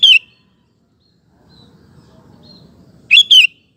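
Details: Sooty-headed bulbul lure song for prompting males to sing: a single sharp whistled note at the start, a quiet gap with low murmur, then a loud paired whistle near the end.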